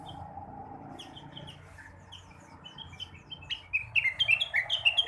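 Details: Blue-winged leafbird in morning song used to stimulate other birds: soft, scattered whistled notes that build into a loud, fast, jumbled twittering near the end, with a faint steady hum beneath.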